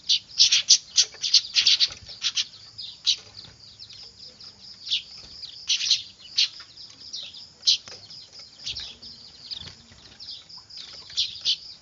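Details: Weaver chicks clamouring, a sound used as a lure: a frantic burst of crowded high chirps at the start, then sharp squeaks about three per second, uneven, above a constant thin chatter.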